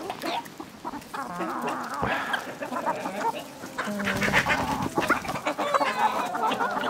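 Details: Chickens of a village flock, many hens clucking together in a dense, overlapping chorus of short harmonic notes and longer drawn calls, with scuffling background noise throughout.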